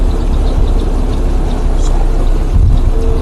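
Steady low rumble of a vehicle engine throughout, with no animal calls audible.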